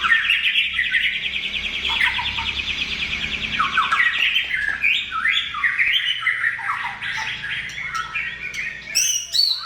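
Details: White-rumped shama in full, energetic gacor song: a long rapid chattering trill for about four seconds, then a string of varied whistled and rising phrases, with a few sharp clicks near the end.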